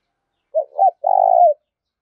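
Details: Single phrase from a decoy male spotted dove calling aggressively to provoke a rival: two short rounded notes, then a long, evenly pulsed purring coo that drops slightly at the end.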